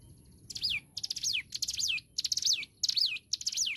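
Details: Hill prinia singing actively, recorded as a tutor song for training songbirds: six rapid phrases, each a quick burst of high ticking notes ending in a clear downward-sweeping whistle, repeated about every half second over a faint low rumble.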